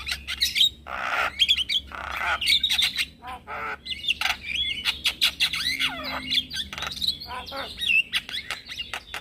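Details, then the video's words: Male Javan myna calling to lure other mynas and starlings into answering, with harsh rasping squawks, buzzy bursts and quick warbled whistles interspersed with sharp clicking notes, busy and continuous throughout. "Semua Jenis Burung Jalak Akan Langsung Nyaut dengar Pancingan Jalak Kebo Jantan"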